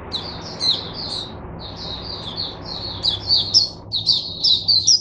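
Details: Caged oriental white-eye tutoring other white-eyes with its song, 22 January 2022: high, sweet chirping phrases, a short gap, then louder, sharper twitters toward the end.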